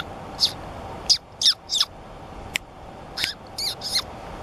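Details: A White-tufted sunbeam at Mollepata, Cusco, gives sharp, high squeaky chips, some doubled or slurred, spaced irregularly about every half second, over a low steady rushing background.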